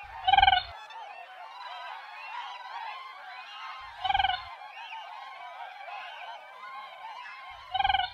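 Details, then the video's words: Siberian crane giving three loud, pulsed, harmonic calls roughly every three and a half to four seconds, with quieter calls murmuring continuously in the background. "Siberian Crane Sound// Siberian Crane Call//درنای سیبری کی آواز"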